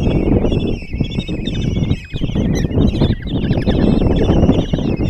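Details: Five common kestrel chicks in a Hungarian nest box at Tiszalök, begging while the female feeds them breakfast, June 26, 2024; dense overlapping quavering squeals, high and wavering, over loud thumping and rustling in the box.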